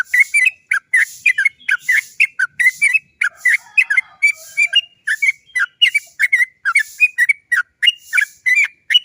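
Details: Sooty-headed bulbul in lively long-winded rolling song, a 'cok cok cok' style played as a lure to get other bulbuls singing; short sharp chirpy whistled notes fired about three per second, steady and unbroken throughout, nothing else audible.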